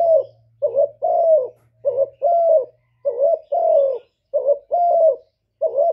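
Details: Repeated spotted dove coo: a clipped, wobbly first syllable and then a fuller, sliding, downward coo, heard about five times. A faint low hum sits beneath.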